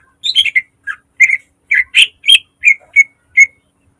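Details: Caged green leafbird in full varied song used as a training model: sharp, slurred whistles and squawky notes in a rapid string of about ten phrases, then falling silent.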